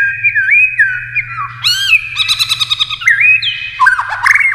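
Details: White-rumped shama's varied competition song: looping whistles, a burst of rapid stuttering notes, then more swooping slurred whistles delivered almost without pause.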